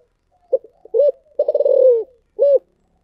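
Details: Spotted dove, thổ sấm voice, delivering a single cooing phrase: two brief low notes, a rising-falling coo, a long vibrating coo easing downward, then one firm final coo.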